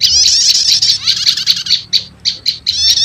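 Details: Prenjak lumut prinia with prenjak setater in a lure recording for attracting wild birds; a high buzzy trill fading into separate, spaced sharp notes.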